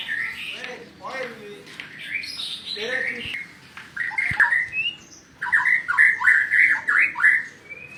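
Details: White-rumped shama song for training other songbirds, a mix of harsh squawky notes and then a run of loud rapid rising and falling whistled phrases, with a click and faint room noise.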